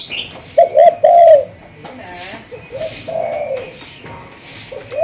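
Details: Spotted dove of a Malaysian line bred for thúc gù cooing, trained as a decoy: a few soft, low paired coos, loud at first and fading, with quiet background noise and a faint chirp.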